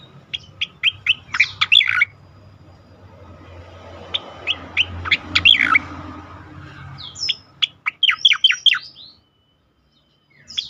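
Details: Continuous loud song of an Asian pied starling (cucak koreng) in ngerol and nembak style: bursts of rapid, sharp, down-slurred notes separated by brief pauses, with a faint low hum behind.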